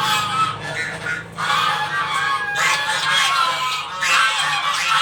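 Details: A group of geese honking for breakfast at a house; loud bursts of overlapping, brassy honks, a short quieter gap, then the chorus swells again.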